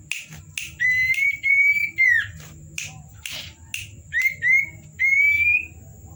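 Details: At night, a Common Iora (cipow) gives a varied whistled song: several drawn-out slightly rising clear whistles, some ending in a quick downward slur, with sharp clicking snaps between phrases.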